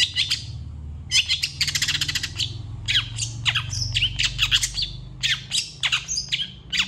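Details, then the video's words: Long-tailed shrike singing densely with varied fill-in phrases: nonstop scratchy chatter, buzzy trills and short squeaky notes, over a low background rumble. "CENDET GACOR FULL ISIAN CEPAT DI RESPON PENTET LAIN"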